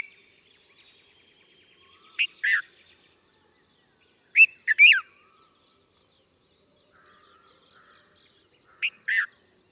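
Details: Red-vented bulbul calling: short bright chirpy phrases around two to three kilohertz, given in three or four separate bursts spaced a few seconds apart, with faint softer notes between them in an otherwise quiet setting.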